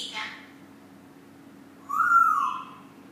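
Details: Congo African grey parrot, recorded April 2013, giving one short whistled phrase of about half a second, rising slightly then falling, after a faint brief sound at the start in a quiet room.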